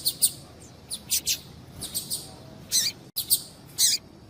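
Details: Female double-collared seedeater call, used to get males excited and singing. Scattered high, thin chirps in loose pairs and singles, with a brief break in the sound near the end.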